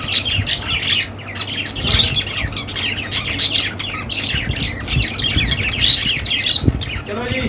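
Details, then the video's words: Budgies in a lively group chatter, mixing high whistled chirps with scratchy squawks in quick irregular bursts, many short notes overlapping, some low knocks and a brief lower warble near the end. "Budgie Sounds for Lonely Budgies"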